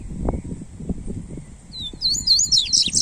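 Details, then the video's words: Warm-up song of a Double-collared seedeater: after low thumps and rustling, a quick series of high, squeaky, slurred whistles rises into a dense, chattering phrase at the end. "Esquente seu papacapim Coleiro"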